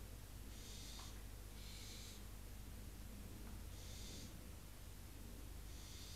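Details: Barn owl chicks that have retreated into their nest box in Cabañeros National Park hiss at an intruding owl, apparently a female, on the box. Four soft, breathy snoring hisses with faint clicks, against a heavy low hum.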